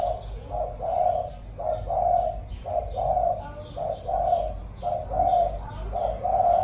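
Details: Spotted dove, a decoy bird with a 'Thổ' voice style, giving steady low cooing notes, soft phrases of two to three coos repeated roughly every second, over a constant low background hum.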